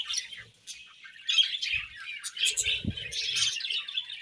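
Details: Happy budgerigars in a colony, chirping together: dense, overlapping high twittering and warbled chirps run without pause, with a few soft low thumps partway through.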